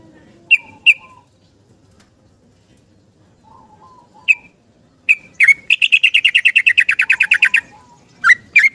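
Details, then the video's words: Yellow-vented bulbul singing a long rapid 'ropel' in the morning, seeking a companion; meant as a lure for stressed, silent bulbuls. A few sharp chirps, then a fast buzzy trill of about twenty notes lasting nearly two seconds, then more chirps. "Trucukan Gacor ROPEL panjang - mencari kawan bunyi pagi hari"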